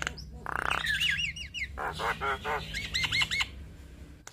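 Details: Lively Javan myna song meant for training and prompting other mynas: a burst of harsh noise, then rapid series of bouncing, looping whistles repeated several times in quick succession, over a faint low hum.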